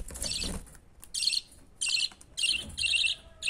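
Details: Budgerigar chick begging while its father feeds it: repeated harsh, scratchy chirping bursts about half a second long, separated by brief pauses and faint rustling.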